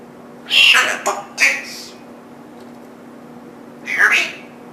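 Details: Pet male African grey parrot, 14 years old, indoors, known for a swearing habit picked up from house roommates: three quick high, squawky voice-like bursts, then a pause and one more rising squawk.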